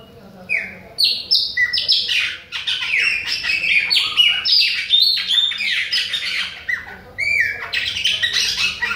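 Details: A Bahian chopi blackbird sings on and on at other birds: many rapid, varied whistles, rising and falling, with buzzy chatter packed densely in the middle of the phrase.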